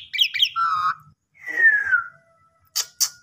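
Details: Asian pied starling lure song: a brief chatter, a steady low whistle, then a long descending slurred whistle followed by three sharp clicks.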